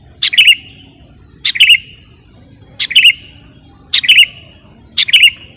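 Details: Sooty-headed bulbul, recorded to lure or tutor other birds, giving five brief liquid phrases. Each opens with a bright note and ends in a warbled double; the phrases are spaced roughly a second apart against quiet background hiss.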